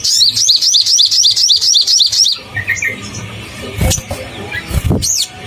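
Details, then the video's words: Crimson sunbird song played to provoke caged birds: about a dozen evenly spaced high, sharply downslurred notes in two seconds, then softer scattered chips with a few loud clicks and knocks. "SOGON GACOR BUKA PARUH bikin naik emosi semua burung SOGON - Pancingan SOGON"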